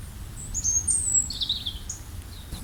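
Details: Chirping bird outdoors: a long high whistled note sliding slightly, followed by a buzzy trill dropping lower, with faint extra chirps and low background rumble.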